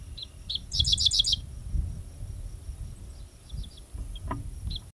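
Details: A Dickcissel at Goose Lake Prairie on 5 July gives two sharp high notes followed by a quick dry buzzy stutter, then a few faint chips, over a low steady rumble.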